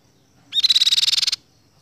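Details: A single Ruby-cheeked sunbird trill: a sharp high note opens a rapid, even run of about sixteen pulses lasting under a second, on a fairly quiet background.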